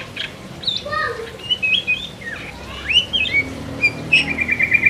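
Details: Oriental magpie-robin in full song, singing loudly and continuously: varied whistled notes, slurred upward sweeps and chattering phrases, ending in a rapid run of repeated high notes; faint background hum.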